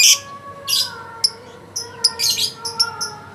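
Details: Lovebird in a song contest, a first-place winner at a president's cup, giving bursts of sharp, high chattering chirps with short gaps between them over a steady low tonal hum.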